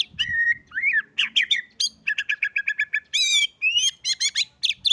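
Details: White-rumped shama, bordan fighter type, with canary imitations in its song: varied rapid phrases of whistles, a run of quick repeated chips about five per second, buzzy harmonic notes and sharp trills.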